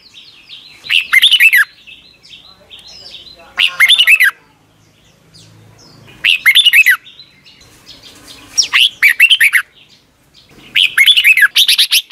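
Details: Red-whiskered bulbul song from Thailand, played to young caged birds every morning to learn. Five loud, rollicking phrases of looping whistled notes, with soft chattering and faint notes between them.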